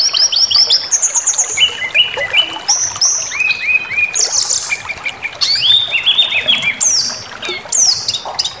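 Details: White-rumped shama singing emotively to provoke others: repeated high whistled notes, bursts of buzzy phrases and descending slurs, loud and continuous throughout.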